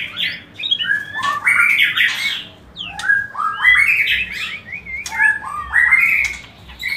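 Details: White-rumped shama song as a mating lure: loud rich phrases of warbles, rasps and wavering whistles, in bursts about every two seconds.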